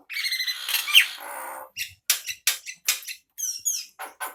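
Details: Male Nias hill myna kept for training other birds: a long harsh buzzy squawk, then a run of short loud whistles and rasping notes with brief gaps.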